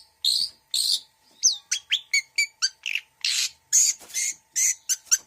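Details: Long-tailed shrike (cendet) with mixed mimicry: harsh rasping bursts, a downslurred whistle, a series of short ringing notes, then more scratchy chatter.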